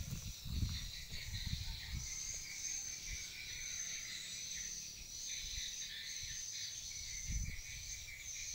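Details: Swiftlet calls used to draw birds into a swiftlet house: continuous high, buzzy twittering chirps repeating without pause, with a few low thumps and a steady background hum underneath.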